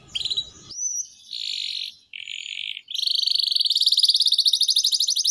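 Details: Canary singing the long 'gacor panjang' style for tutoring young canaries: clipped opening chips, two flat buzzy blocks of sound separated by gaps, then a long rapid pulsed trill held to the end.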